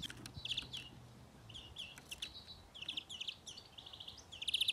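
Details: A young European greenfinch (Chloris chloris), being trapped, gives bursts of bright, quick, high twittering chirps with brief pauses; a low hum faintly at the start.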